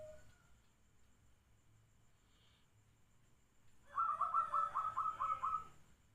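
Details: Zebra dove at midnight: a fast, even string of about seven clipped cooing notes, lasting under two seconds, breaks the quiet night after faint low background hum.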